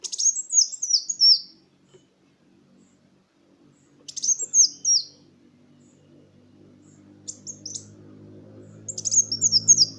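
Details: Sunbird, a Kolibri Wulung, singing a lure song used to prompt silent caged birds to sing: rapid high, thin twittering phrases of descending slurred notes in short bursts, with a low hum building in the background.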